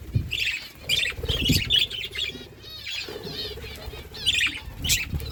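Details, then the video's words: Flock of budgies feeding together: overlapping high warbles and chirps come in bursts, mixed with wing flutters and low background rumble. "Beautiful budgies flocks birds eating food"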